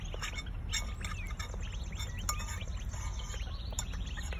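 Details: A group of hungry Northern Bobwhites, excited at treat time, gives a busy stream of short, high overlapping chirps and squeaks, with a steady low rumble underneath.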